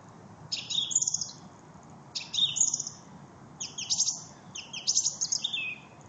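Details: A thrush sings on 4 January 2014: four brief, bright phrases of high whistles and twittering notes, each under a second, with short pauses between them.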